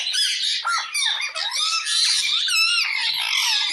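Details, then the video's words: Loud, harsh parrot squawks aimed at another parrot, nearly continuous, with buzzy harmonic screeches and a few sliding whistled notes, barely pausing over the few seconds. "Parrot Calling Other Parrot Sound"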